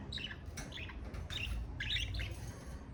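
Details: Pet budgerigar giving bursts of warbled, scratchy chatter in short groups separated by brief gaps, over a steady low rumble.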